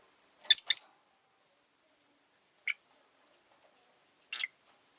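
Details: Single caged rosy-faced lovebird, left alone after its partner died, calling from its perch: a quick double harsh chirp, then two brief softer chirps spaced well apart.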